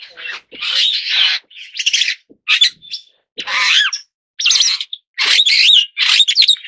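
A superb starling gives bursts of rapid, scratchy chatter mixed with high, slurred whistles. Each burst lasts under a second, with brief pauses between.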